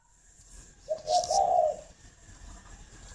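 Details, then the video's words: Captive spotted dove at a breeding farm in Ba Vì, Hanoi, Vietnam, in the morning: a single low, hollow cooing phrase, two quick soft notes running into a longer drawn-out coo, then quiet. "tiếng chim cu đẻ"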